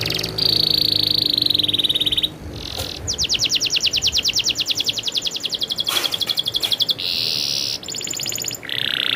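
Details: Rolling song of a very vocal canary: a sustained high whistle, then long fast rattling trills broken by brief pauses and a few sharp clicks, followed by a buzzy note.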